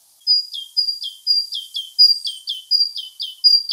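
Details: Great Tit repeating its basic syllable sequence: a bright high note dropping sharply to a lower one, the pair repeated roughly every half second in a bouncing rhythm, loud and clear.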